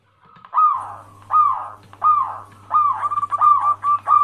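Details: A local wild zebra dove used as a lure to get other zebra doves to reply: drawn-out, arching coo notes about every 0.7 seconds, becoming faster and choppier toward the end, with a faint low hum.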